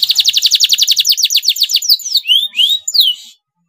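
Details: Yellow male canary in breeding condition, singing vigorously: a fast rolling trill of high downward-sweeping notes at almost four per second, then a few slurred, rising and falling whistles before it falls silent.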